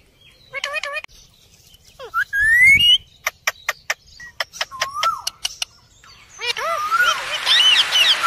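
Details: Indian parrot uttering short stacked squawks, a rising whistled slur and a series of sharp clicks, ending in a dense, harsh chatter over a noisy background.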